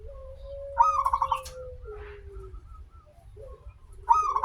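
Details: Local zebra dove song meant to draw other zebra doves into singing: after a long steady low tone, a rising note breaks into quick pulsed coos, and a second phrase begins at the end.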